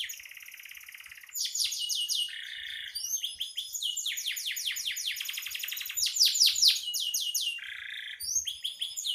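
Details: Canary in full song, used as a master recording for training songbirds: long runs of rapid descending high syllables, buzzy trills and harsh rattles switching every second or so, with quiet thumps in the background.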